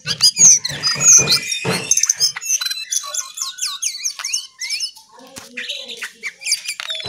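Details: Lesser shortwing delivering a sharp, varied song: loud opening burst of squeaky notes, then a rapid stream of high, twisting whistles and trills with brief pauses.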